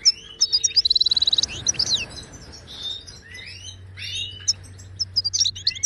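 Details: Wild Moroccan goldfinch singing in the Wadani style, played to tutor caged birds: bright twittering notes high in pitch, then a fast even metallic trill near the one-second mark, followed by more scattered tinkling phrases.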